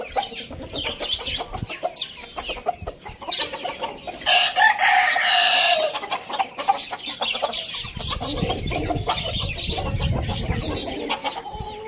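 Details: Morning crow of a rooster, a drawn-out strained call of about two seconds partly buried in broadband noise, followed by low rumbling and scattered bird chatter.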